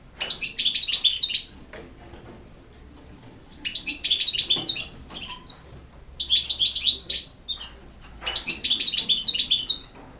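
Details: European goldfinch singing campero-style song in four separate bursts of rapid, high, jingling twitter, each about a second and a half long, with quiet pauses between.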